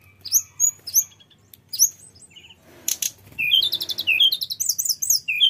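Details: Mountain flycatcher (tledekan gunung) singing a lively song full of imitations for use as a lure: scattered sharp high notes, a brief noisy burst, then a fast, continuous twittering chatter.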